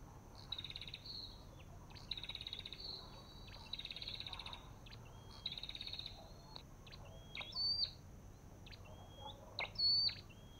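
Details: Olive-backed tailorbird: long buzzy trilled bursts at first, then sharp upslurred whistles with clicks, phrases spaced a few seconds apart.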